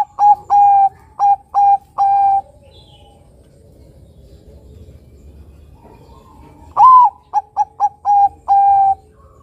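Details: Bangkok-type zebra dove singing actively as a lure for other doves, giving mellow whistled coos in phrases: five short notes, a pause of several seconds, then a rising note, three quick notes and a longer drawn-out coo.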